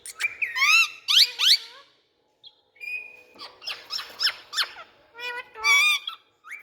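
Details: Rose-ringed parakeet, also called ringneck or Indian parrot, giving a series of sharp rising and falling squawks and whistled screeches in bursts, with short pauses between groups and a quiet clean background.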